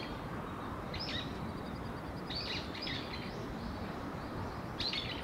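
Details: House swifts from a colony of about 200 nesting together under rooftop eaves of a building in Surugadai, central Tokyo, Japan: faint, high, rapid trilling bursts at intervals, over steady broadband city noise.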